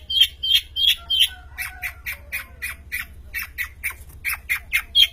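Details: Prize-winning long-tailed shrike in full song; rapid, evenly repeated rasping notes, some with piercing whistled edges, with a few faint lower whistles underneath.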